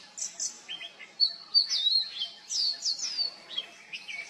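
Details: Oriental magpie-robin mimicking other birds, including juvenile Black-naped Oriole and Black Drongo: a varied stream of high whistles, quick downslurred notes and short churrs, delivered rapidly and irregularly.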